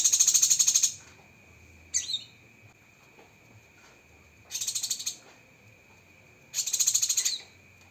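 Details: Cucak kinoi masteran of sharp 'tembakan' fill-ins: three short bursts of rapid, piercing pulsed trill spaced about two seconds apart, with one quick chirp between, in otherwise quiet surroundings.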